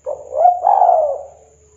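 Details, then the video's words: Spotted dove of local wild type in KUK 2 song style, heard as two soft blurred coos, the second longer and gently falling, low and hollow. "Tekukur KUK 2 Lokal Alam Manggung Gacor Suara MERDU ISTIMEWAHHH"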